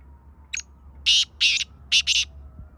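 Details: A black francolin (kala teetar) calls: a brief thin note, a short pause, then four strong, grating, buzzy bursts in two pairs, the final pair tightly spaced. A faint whistled tone and low rumble sit beneath.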